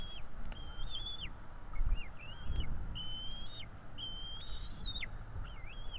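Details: Florida bald eagle nest on 5 April 2022, two chicks begging as adults feed them; drawn-out whistled notes, flat with a falling tail, repeated steadily, low rumble and a few clicks behind.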